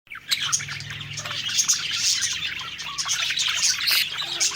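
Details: Several happy budgerigars singing while eating: a dense, continuous warbling chatter of rapid high chirps and squeaks, with a faint low hum underneath during the first second and a half.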